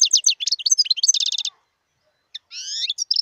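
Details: European goldfinch in the wild, rattling off a lively twitter of bright chirps and trills, a short pause, then a nasal drawn-out note and more quick chirps.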